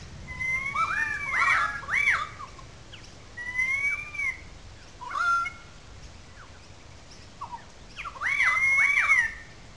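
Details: Currawongs in good voice in a small gully above wetlands, Sydney Park, St Peters, Sydney: rich, rolling, gurgling phrases with rising and falling whistled notes, in bursts between short pauses.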